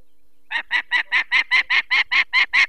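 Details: Alarmed female peregrine falcon at her nest, Barycz Valley, Poland, 2 May 2023, while people remove an eye-damaged chick: eleven rasping, evenly spaced kek notes that build slightly in loudness.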